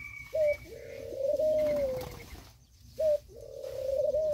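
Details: Black and white pigeons living together and feeding in forest and mountain country give low, steady coos. Each phrase opens with a short clipped note, then a long drawn-out level tone, and the phrase repeats after a brief silence.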